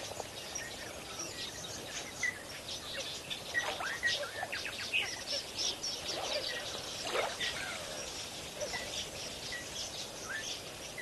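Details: Lesser flamingos at Kamfers Dam, Kimberly, South Africa, picked up by a live wildlife camera: a dense, overlapping chorus of many short, nasal honks and chattering calls from a large flock, steady and continuous throughout.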